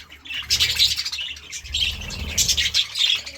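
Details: Budgerigar chirping in the morning: busy, high warbling chatter of quick chirps and squeaky trills in overlapping bursts, with a faint low hum underneath.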